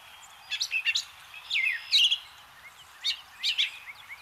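A Brown Thrasher sings varied, loud phrases of sharp chirps and slurred whistles, some grouped in quick pairs, mixing mimicked notes of other birds.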